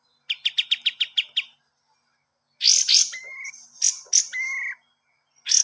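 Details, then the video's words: Kapas tembak training song for cage birds: a run of sharp evenly spaced chips, then harsh buzzy bursts mixed with short level whistles. "masteran burung kapas tembak"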